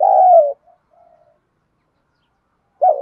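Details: ['Spotted dove decoy in Thổ voice, calling and cooing. A falling hoot ends one coo, soft low mutters follow, and another deep coo starts near the end.']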